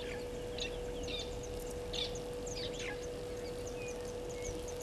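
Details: Burchell's starlings at Gowrie dam waterhole, Djuma Game Reserve, Sabi Sand, South Africa, 12:14 on 14 April 2020, give short scattered chirps and harsher squeaky notes, thinning out, over steady electrical hum and low rumble.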